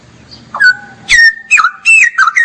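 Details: Straw-headed bulbul in full gacor ngeropel song. A rising whistle leads into a long, steady tone, followed by loud, bubbly phrases of looping whistled notes separated by short pauses.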